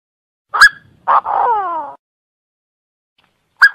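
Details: A francolin in Cambodia gives a sharp, clipped note, then a harsh, grating two-part phrase with falling overtones, and a final sharp note three seconds later; nothing else is heard.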